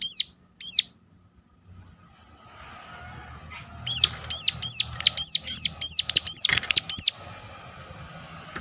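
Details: Sunda warbler sharp call for luring others to sing: two isolated high notes, a quiet stretch, then a fast run of about ten shrill hooked notes with some rustling noise mixed in.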